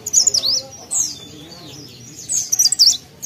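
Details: High, thin, rapid twittering from a mountain leaf warbler in lively song, two quick bursts of zigzag notes separated by a pause of about a second and a half.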